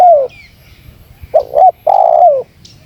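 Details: Spotted dove call for enticing wild doves: the end of one falling coo, then a short hoot pair and a long coo sliding downward, with a faint higher chirp nearby.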